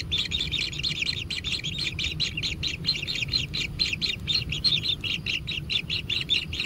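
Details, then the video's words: Kingfisher young begging at their natural nest at feeding time: a steady, fast pulse of grating high chirps, evenly sustained across the whole stretch, with low hum behind. "Anak Tengkek Diberi Makanan Semakin ExTrim - Natural Kingfisher Bird Nest"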